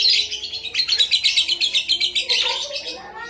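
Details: Javan myna copying a lovebird's ngekek, a fast, even run of shrill chattering notes, about four per second, carried for three seconds before breaking into a squeakier, wavering phrase.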